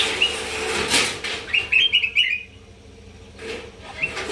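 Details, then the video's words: Kutilang emas (sooty-headed bulbul) from North Sumatra, singing energetically in a recording used as a training master song. Short bright whistled notes in a quick cluster mid-clip, with wing-flapping rustles and a faint steady background hum. "Masteran kutilang emas gacor sumut"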